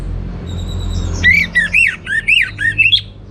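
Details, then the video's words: Orange-headed thrush with a varied, energetic song: a row of five or six harsh, arched, squawky notes given about twice a second after a quiet start. "Suara Gacor Burung Anis Merah Teler Materi Melimpah 100% Jernih"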